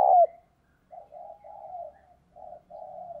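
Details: Spotted dove kept as a decoy to provoke and lure wild doves: one loud opening coo, then a series of soft, even, low hooting coo notes with short gaps, against a quiet background.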